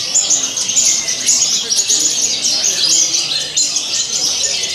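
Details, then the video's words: At a song competition, a caged Javan bush lark delivers a vigorous, richly filled song from the hanging perch. A thin, high, fast twittering flow of clipped chirps continues throughout, with faint voices underneath. "Branjangan Jawa Gacor Isian Mewah Saat di Gantang"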